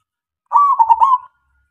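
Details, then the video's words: Local zebra dove (perkutut), a prolific singer, used as a lure to get silent doves answering: one short phrase of mellow, stuttering coos, a steady tone broken into quick beats and ending on a held note, with a quiet background. "SUARA PERKUTUT LOKAL SUPER GACOR MEMANCING SEMUA KUTUT DIAM JAMINAN NYAUT"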